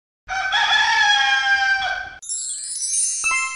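A rooster gives one drawn-out, rich, harmonic crow lasting about two seconds, then high, thin descending whistles take over.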